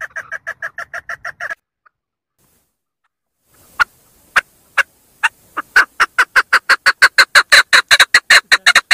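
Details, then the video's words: A female chukar partridge (Alectoris chukar) gives a quick burst of harsh clucking notes, then after a pause a longer series that speeds up into a steady, rapid chuck-chuck run. "Female Chakor voices // female chukar sounds // female chakor ki awaaz // голос кеклика // صوت الحجل"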